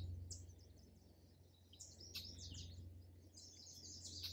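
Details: Songbirds singing and chirping in a park: quick high chirps and twittering bursts, busiest in the second half, over a steady low background hum.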